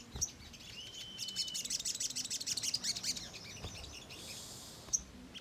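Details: Ruby-cheeked sunbird in chattering song used to lure and provoke birds into calling. An even whistle leads into a dense, high, rapid twitter lasting a couple of seconds, closed by a sharp chip.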